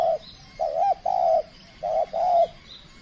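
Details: Trained spotted dove at its first contest in the Riau Islands, Indonesia, showing aggressive skill: loud, mellow, rounded coos in two groups of three and two, each note drawn out and slightly arched, over faint background noise.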